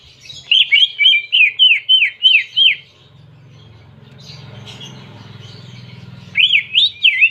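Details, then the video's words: Greater green leafbird singing canary-style phrases. About eight bright, downward-slurred whistles run in a steady series. A low humming background follows, then a fresh burst of swooping notes near the end. "Masteran Cucak Ijo Isian Kenari Jernih"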